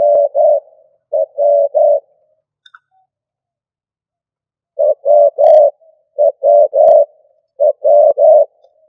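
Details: Stuttering coo of a decoy spotted dove: a run of three-note phrases, then a pause of nearly three seconds, then more short-short-long phrases at a quicker pace.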